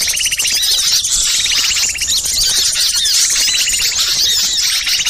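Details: Noisy chorus of small birds, used as a lure recording to draw wild birds in: dense high twittering and squeaky chirps, with buzzy trilled bursts repeating about every second underneath.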